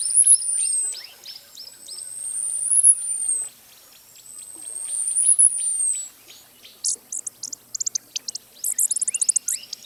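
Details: Costa's hummingbird repeating a long, piercing, high whistle that swells and fades three times, followed by a burst of rapid high ticking notes.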